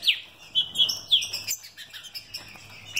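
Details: A captive mutation green-winged saltator gives a short burst of sharp whistled notes, an opening upslurred note followed by several clear level whistles, then softer chattering, with a faint low hum behind.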